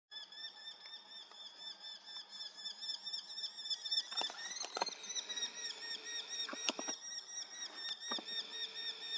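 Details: Eurasian hobby calling on a foggy morning, 7 August 2024: a fast, steady stream of shrill, ringing notes, about four a second, lasting the whole stretch. A few sharp clicks sound near the middle.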